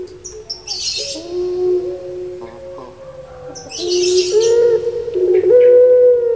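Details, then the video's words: Kept turtle dove of the puter pelung variety from Java, Indonesia: low, drawn-out tonal coos holding steady then stepping up in pitch, with bursts of high chirping from other birds in the background. "Puter Pulung Suara Gemanya Bikin Lupa Diri"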